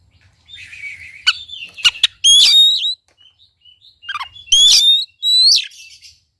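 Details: Kacer, the Oriental magpie-robin, singing to draw out a quiet bird: soft whistles, sharp clicks, then loud rich warbled phrases and upslurred whistles.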